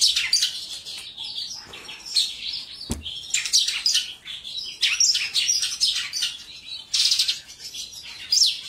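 A Mongolian lark sings a rich, continuous torrent of high twittering and chirping phrases, fluid and varied, broken by one sharp knock near the middle.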